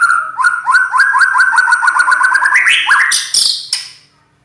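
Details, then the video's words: Champion white-rumped shama (murai batu) with a harsh, loud voice sings a fast string of about a dozen repeated upslurred notes that climb in pitch, ending with sharp high bursts. "Kicau murai Batu,Suara kasar, Terbaik di kelasnya."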